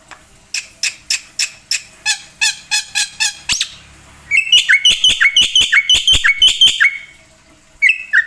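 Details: Black-winged myna, jalak putih, singing 'gacor full isian' as a master and lure recording: a series of evenly spaced dry chattering notes, then a fast run of sharp, metallic whistled notes that drop in pitch.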